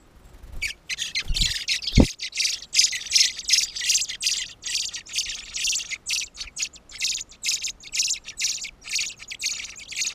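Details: Fieldfare carrying food for its young near the nest, filmed on 16 June 2014: a long run of harsh, dry chattering notes, fairly evenly spaced at about two per second, with a couple of low knocks near the start.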